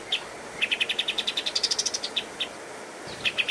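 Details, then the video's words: Energetic master song of a pied triller used to train cage birds: a fast trill of about twenty high notes that rises slightly in pitch, then a few slower spaced notes. "Masteran Kapas Tembak Gacor Terbaik 2022"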